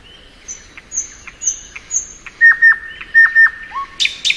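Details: A thrush nightingale sings in spring. Thin high whistles lead into flat, pure whistled notes with dropping tails, ending in a couple of buzzy high bursts.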